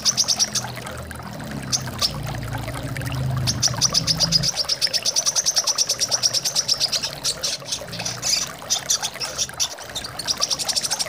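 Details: Continuous fast series of thin, high chirps from a brown-throated sunbird over trickling water, with a low hum during the first seconds; played to help birds start singing.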